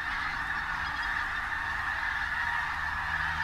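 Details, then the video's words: Pink-footed geese at Martin Mere WWT Reserve, Lancashire, 8 October 2012, a bright day with lots of birds moving about; a loud, constant chatter of high-pitched honking from a big flock, with a faint low hum. "Pink- Footed Geese"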